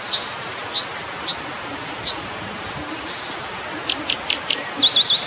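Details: Brown dipper with spaced high chips, a short tinkling run, a series of sharp ticks and a closing rapid zigzag trill, heard over an unbroken rushing hiss.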